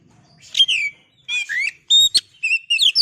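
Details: Oriental magpie-robin singing, used as a lure to make birds sing: a quick sequence of clear slurred whistles, buzzy notes and sharp chirps with rich harmonics, in short bursts.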